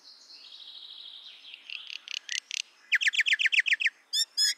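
Common myna giving a varied run of sounds: a soft warbling passage, then a rapid series of sharp, chattering notes repeated about four times a second, ending in ringing clicks.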